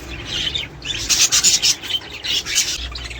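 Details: Budgerigars warbling, played to stimulate mating and egg production: a quick run of scratchy, buzzy high chirps rising and falling in short pulses, almost without pause.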